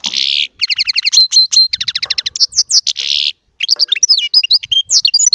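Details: Small European goldfinch in sustained song: buzzy rasping notes alternating with rapid regular trills and tinkling twitters, ending in varied sweeping chirps.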